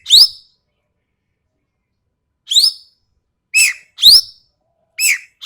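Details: A sharp, harsh series from a Sumatran ekek keling on a songbird tutor recording: rising rasping squeals mixed with lower down-slurred notes, delivered singly and in quick pairs over five seconds.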